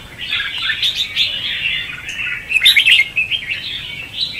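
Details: Red-whiskered bulbul in 'ché' and 'xòe' fighting song, used as a trapping lure. A continuous chattering warble carries a few sharper, louder accented notes past the middle.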